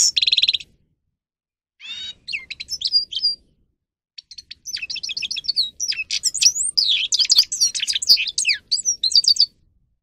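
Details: Training recording of a grey-crowned goldfinch singing: an opening buzzy burst, a stuttering twittered phrase, a pause, then a long, rapid cascade of chirps, trills and slurred whistles lasting over five seconds.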